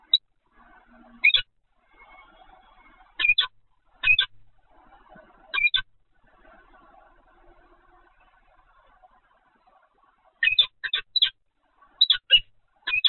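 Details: Peregrine falcon recorded at the Evoluon nest site on 7 February 2020, 15:55. Scattered harsh, clipped calls come in pairs and short clusters, with a quiet stretch in the middle and a steady faint murmur beneath.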